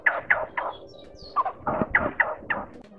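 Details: Blue-bearded bee-eater male and female calling to the flock with harsh, croaking, down-slurred notes, repeated about every quarter second in an uneven chattering series.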